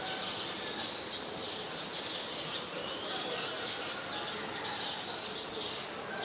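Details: Two thin, piercing, very high tsit notes about five seconds apart from a scarlet-backed flowerpecker, recorded 5 February 2020 in Ubon Ratchathani, Thailand. Quiet hiss and faint low bird notes fill the gaps.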